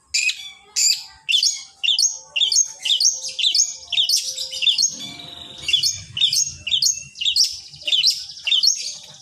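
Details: Master song of a long-tailed shrike meant to trigger other shrikes into singing: short, sharp, high chirps repeated at about two per second, each with a slurred buzzy tail, steady throughout with a faint low rumble behind.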